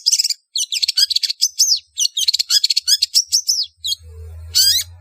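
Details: A long-tailed shrike gives a fast stream of grating chirps and downslurred whistles, used as a calling lure to make birds gather; a low hum and one final rising screech close it.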